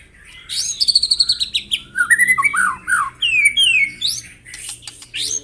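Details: White-rumped shama morning song to rouse rivals: a quick run of high chips leading into a varied phrase of looping, slurred whistles and descending notes, ending in sharp upward flicks.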